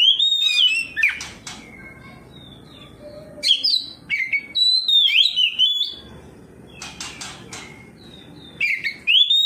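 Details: Ngeplong song of an Oriental magpie-robin responding to another of its kind; three bursts of varied whistled notes, each opened by sharp clicks, with rising and falling slurs and quiet gaps between.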